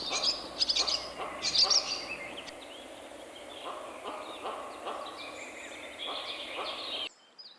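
A swallow gives quick, high, twittering chirps in short bursts, with a few sharper squeaky notes early on over faint background hiss.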